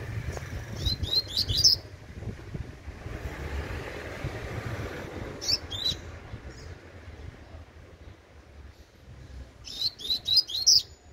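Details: Young Double-collared Seedeater repeating its tui tui song: three separate bursts of rapid, high, sharp notes spaced several seconds apart over a low, steady rumble.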